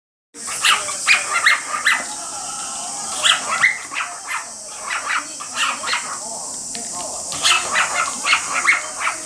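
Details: Pet male cockatiel calling repeatedly while a female cockatiel bathes under a mist sprayer; rapid, harsh, breathy bursts come about three times a second with a few short tonal chirps, and the room is otherwise quiet.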